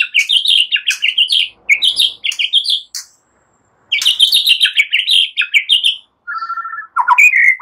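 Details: White-rumped shama song copying cililin and ciblek, used as a lure for songbirds; long runs of rapid high twittering notes with a short pause, then a brief buzzy trill and a lower slurred whistle.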